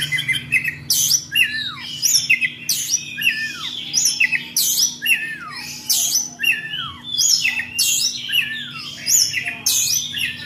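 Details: Oriental magpie-robin singing ngobra style: loud repeated phrases, each a harsh buzzy burst followed by a clear whistle sliding steeply downward, about every two seconds, over a constant low hum.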